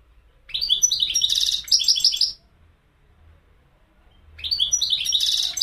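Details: Goldfinch singing two rich phrases of fast, tinkling twitters mixed with a rasping buzz, about two seconds apart, in quiet surroundings.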